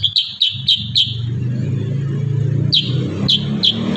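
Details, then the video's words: Kurincang singing 'tembakan rapat', a dense song style used for songbird training. Four quick sharp high chips open, then a pause filled by a low droning hum, then three more spaced chips. "Masteran burung kurincang tembakan rapat"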